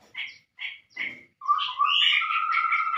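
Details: Chestnut-rumped babbler lure call, used to attract birds: three short, harsh chattering notes spaced about half a second apart, then a loud sustained run of whistled and warbled tones that keeps going to the end.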